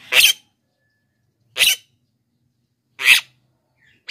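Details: Black-winged myna in full voice, a recording meant to attract wild birds and train idle singers: three loud, scratchy, hissing blasts spaced about 1.5 seconds apart, separated by silence.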